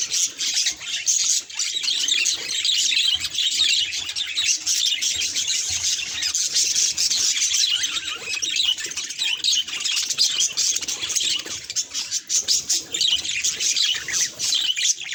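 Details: Budgie facing a mirror, producing a long run of raspy, scratchy chattering and squawks, dense and steady throughout, with occasional brief dips in loudness.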